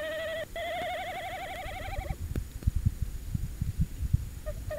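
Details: Tawny owl at De Mortel, 27 January 2021 after 21:49, short visit on a live camera: a long, strongly wavering, vibrato hoot lasting about two seconds, then scuffling and thumps, and a final brief hoot.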